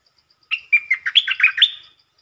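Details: Single short song phrase from a red-whiskered bulbul, a lure bird with a quick, brief song: a lively run of about seven clear, warbling whistled notes jumping up and down over one and a half seconds, in quiet surroundings.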